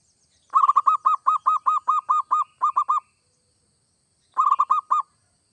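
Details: Zebra dove, local or Bangkok type, in strong song used to trigger singing in other doves: a sustained string of about fourteen clear, evenly paced coos, then a pause and a shorter burst of four.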